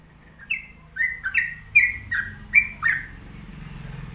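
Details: A sooty-headed bulbul, known locally as trucuk, gives a short burst of liquid, slurred notes, roughly two a second, before falling silent over a low background hum.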